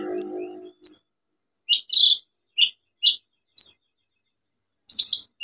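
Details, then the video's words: Olive-backed sunbird in lively song, meant to lure quiet birds into singing: scattered sharp high chirps and short downslurred notes, ending in a fast chattering burst; faint low noise at the start. "KOLIBRI NINJA SUPER GACOR NEMBAK ISIAN BUAT TERAPI PANCINGAN KOLIBRI NINJA MACET BUNYI"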